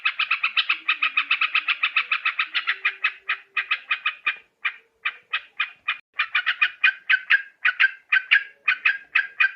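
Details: A yellow-vented bulbul from Borneo, used as a trapping lure, gives a rapid chattering rattle that loosens into spaced, harsh chirps before speeding up again into quick bursts.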